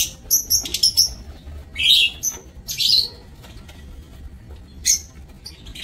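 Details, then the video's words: Several lovebirds in an aviary on 27 March 2024 making thin high chips and short whistled notes, interrupted by two harsh, grating squawks, then quieter with one last sharp call. "Aviary Lovebirds"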